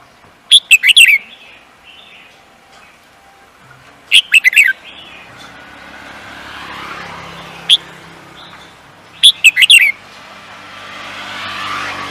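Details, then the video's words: Singing-contest bird repeats a short burst of sharp, descending chirps three times at roughly four-second intervals, with one isolated high note between, and a soft rushing background noise. "The Beautiful Bird singing"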